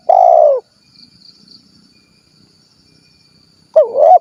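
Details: The end of one long, pulsing, slightly falling coo from a spotted dove ('kuk 1' style, Cilacap, Central Java), then about three seconds of near silence before a new wavering, rising phrase begins.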